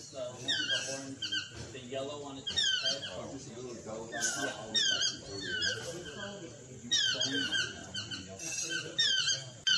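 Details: Chestnut-mandibled or Swainson's toucan, a subspecies of the yellow-throated toucan: repeated clusters of sharp, descending yelping notes, harmonically rich and fairly squeaky, uttered in quick runs with brief pauses, over a lower murmuring layer.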